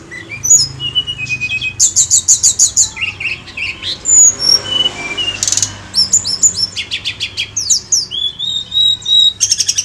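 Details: Sunda robin in full song on a lure recording: a fast buzzy trill, scattered sweet high whistles and soft low notes, then clusters of clipped chirps and a final rasping burst.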